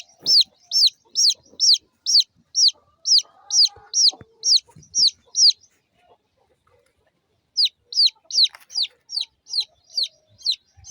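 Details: Small domestic chicks, local chickens, peeping: high, loud, downward-sliding cheeps repeated about twice a second in a steady run, a silent gap near the middle, then the cheeping resumes; faint low knocks and rustles underneath.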